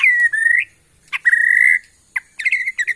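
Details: White-rumped shama of Bornean origin from Kalimantan forest, holding long steady whistled notes in a mid pitch, each rising slightly at its end, then a few quick bright chirps.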